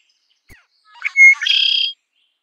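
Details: One song of the red-winged blackbird: a brief tap, scratchy opening notes, a pure whistled note, then a long buzzing, rattling trill ending abruptly.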